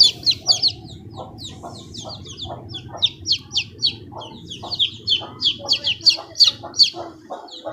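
Chicken chicks peep constantly, high, thin, downward-slurred notes tumbling over each other several times a second over a low background hum.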